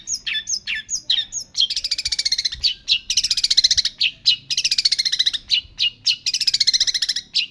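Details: Long-tailed shrike singing actively: bursts of high, scratchy chirps give way to long rapid trills of buzzy notes repeated at a steady pulse, broken by short sharp whistles, with a faint low hum beneath.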